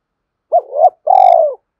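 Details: Spotted dove coo, a sound played daily to stimulate decoy birds. It gives a quick double hoot, then one drawn-out purring note that sags at the end. No background sounds.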